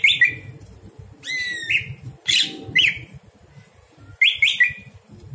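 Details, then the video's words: Greater green leafbird night song, used to tutor other birds: scattered phrases of bright sweeping and stepped whistles with short gaps between them, over low background rumbling. "masteran cucak hijau di malam hari"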